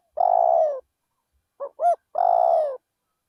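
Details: Spotted dove used as a decoy bird, calling in a rice field. A long rolling purred coo, then two short clipped notes, then another long purring coo. Quiet background.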